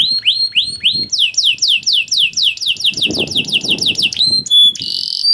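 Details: Canary singing a masteran song for training young birds: rising whistled notes, then a fast series of swooping downslurred notes about five per second, ending in a brief pure whistle and a buzzy note; faint low clatter beneath.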